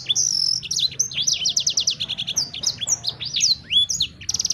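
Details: Sanger bird pouring out fast, varied song: a sustained high whistle, rapid chirp series, rising slurs and a closing buzzy trill.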